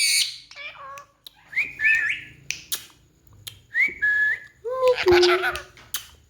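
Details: Captive talking ring-necked parakeet makes a series of short, clear whistles that rise and bend, with clicks and a harsher burst near the end. Indoors, with its keeper urging greetings in Urdu-Hindi.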